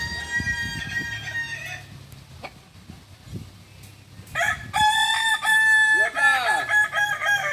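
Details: At a training session in Ampang Kualo, Solok city, a Kukuak Balenggek rooster's crow fades out and then a strong new crow begins, climbing through several stepped, ringing segments with bending pitch toward the end. Faint thumps sound underneath.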